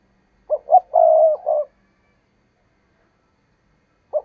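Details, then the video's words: A decoy spotted dove cooing to entice wild doves into a trap: one loud phrase of two quick notes, a long rolling coo and a shorter closing note, then silence until a sharp note restarts the phrase. "Tiếng Chim Cu Mồi Thúc Gù Bài Bản Dùng Kích Bổi Hiểu Quả"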